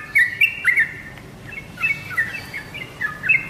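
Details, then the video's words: Yellow-vented bulbul lure sound to make kept birds answer: separated bursts of short chirpy whistled phrases with brief quiet gaps between them. "BURUNG TRUCUKAN ANDA PASTI LANGSUNG NYAUT DENGAN SUARA PANCINGAN INI"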